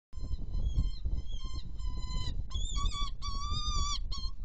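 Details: Saker falcons at a Hungarian nest during feeding, 1 May 2013 at 7:24: drawn-out, wavering whining calls in three long phrases, over steady low rumbling wind noise.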